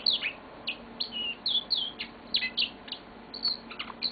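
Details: Indoor pet yellow-fronted canary giving a quick run of high, bright chirps and short whistled slurs, the notes spaced roughly twice a second.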